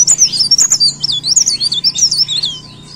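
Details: An actively singing leaf warbler delivers a clear run of sharp, very high, slurred chirps in fast succession, each a quick up-and-down note, then fades out. A steady low hum sits beneath.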